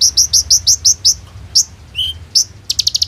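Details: Hummingbird song used as a training lure for other birds, phone recording: a run of evenly spaced high chirps, a pause, a lower whistled note, then a quick rattling burst at the end over faint low hum.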